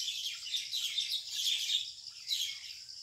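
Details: Harsh squabbling of common mynas contesting a date palm nest hole in the countryside, evening of 6 May 2021; continuous grating, noisy screeches in rapid overlapping bursts, with a brief pause before a final outburst.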